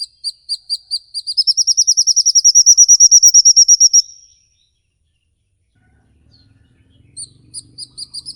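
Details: Ngikik-style bird call used as a lure so kept songbirds sing sooner. Spaced high notes speed up into a loud, fast, level trill lasting several seconds. A silent gap follows, then spaced high notes resume.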